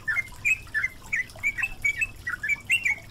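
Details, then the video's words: Yellow-vented bulbul chattering song in a water-therapy recording for caged birds: brisk, slurred whistles, roughly four a second, mixed with trickling water. "MASTERAN BURUNG TRUCUKAN GACOR"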